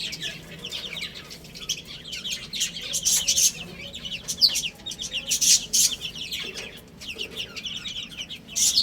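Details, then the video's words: Little chicks peeping as they eat and play: dense bursts of shrill, short chirps from several birds at once, broken by loud clicking taps of pecking. "Cute Little Chicks Chirping Sounds"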